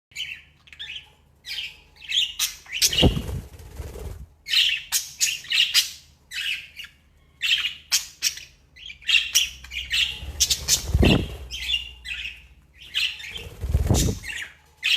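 Budgerigars chatter in a steady stream of quick, scratchy chirps and warbles.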